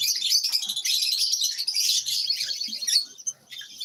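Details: Lovebirds kept as pets produce a loud, unbroken wash of piercing chirps and chatter that fades and thins out during the last second.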